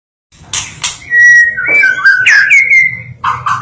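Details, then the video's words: White-rumped shama, described as a national champion songbird, singing a melodious song: clear whistled phrases around the middle pitch, sliding and warbling, with a few sharp clicks before and buzzy notes at the end. "Kicau burung murai batu merdu juara nasional"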